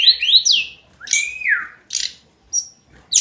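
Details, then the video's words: Tledekan gunung, the hill blue flycatcher, gives sweet whistled phrases that rise then slide downward, a few separate notes spaced through a quiet background. "Kicauan harian Tledekan gunung"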